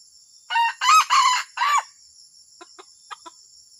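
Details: A junglefowl crows in four rough, clipped bursts, the middle ones louder and longer, the last falling away, followed by soft tapping clucks against a constant shrill hum of insects.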